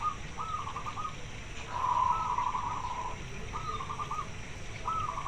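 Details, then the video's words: A local zebra dove calling for a mate repeats soft, rolling trilled coos in short phrases against a steady background hiss and low rumble. "Perkutut lokal gacor suara besar pengen kawin manggil jantan"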